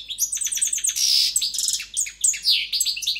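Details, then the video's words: A European goldfinch, described as a strong, fine singer, sings a fast, tinkling run of high twittering notes, liquid trills and buzzy bursts, with nothing else heard. "JILGUERO CANTANDO"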